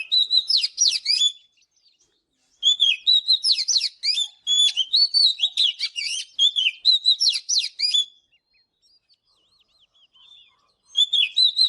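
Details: Oriental magpie-robin morning song: long bouts of varied whistled notes and rapid chirps, repeated in three phrases several seconds long, with short silent gaps between them.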